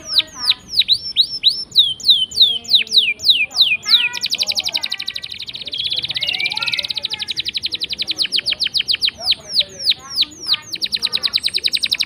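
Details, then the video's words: Canary singing a long rolling song as a lure to get silent canaries singing. Swooping downslurred whistles, then a dense buzzy trill, then long runs of rapid clicking trills. "Pancingan Kenari Gacor Ngeroll panjang!! Buat Kenari Macet Bunyi pun Langsung Respon"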